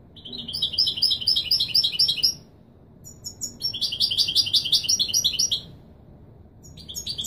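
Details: European goldfinch singing in the Moroccan 'Widani Marrakchi' song style, used to teach and train young birds: rapid buzzy, jingling high notes in two long bursts separated by a short pause, with a third burst starting at the end.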